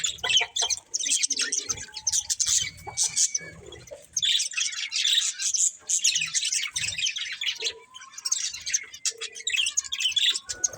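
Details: Two budgerigars, a breeding pair, keep up continuous busy twittering, high and gritty, in long overlapping bursts broken by short pauses, with a few thin drawn whistles.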